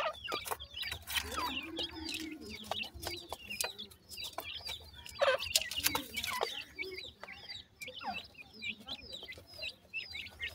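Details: Several partridge chicks in a forest keep up steady cute high chirping, rapid overlapping downslurred notes, with frequent clicks and rustling underneath.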